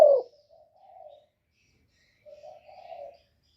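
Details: Spotted dove used as a lure for wild doves: a sharp opening note then two quieter, level, breathy coo phrases about two seconds apart in otherwise silent surroundings.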